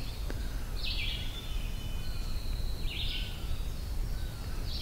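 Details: An Eastern Towhee, probably the same one heard the previous night, gives a rising, slurred call about every two seconds on a forest hike to Hector Falls, over a steady low rumble with faint, thin, descending notes from another bird.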